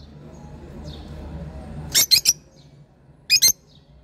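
A lovebird gives shrill, harsh screeching chips in two quick bursts, three and then two. Fainter squeaks and a low indoor hum fill the gaps.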